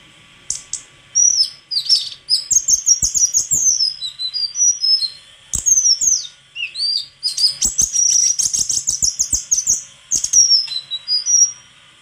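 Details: White-throated flycatcher singing long, lively sequences of high whistles, slurred notes and rapid chips in repeated bursts, with short gaps between phrases and occasional sharp taps.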